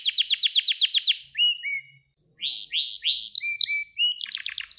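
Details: Song of a Gloster canary, played as training to rouse males and guide young canaries: a quick trill of repeated chirps, short whistled slurs, a pause, then swooping notes and a closing burst of rapid syllables, with a soft low hum.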